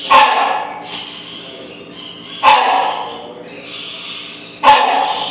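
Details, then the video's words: Captive rhinoceros hornbill in a Pittsburgh aviary giving three loud, harsh, broadband barks, each a sudden burst fading quickly, spaced roughly two seconds apart, with high twittering from other aviary birds and a steady hum between calls. "Rhinoceros Hornbill barking"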